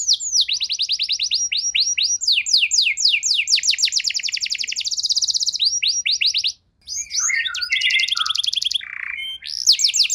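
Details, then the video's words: Canary song used as a lure to stir canaries in poor condition into singing: fast rolling trills of bright high notes, changing tempo, with a brief pause and then sweeping chirps and more trills. "Pancingan JITU! Terbukti Ampuh Memancing Kenari Kurang Kondisi! Seketika Langsung Respon"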